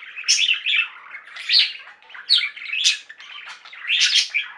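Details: Pet budgies singing in a flock, with scratchy warbled phrases and loud bright chirps recurring roughly every second over a soft chattering background.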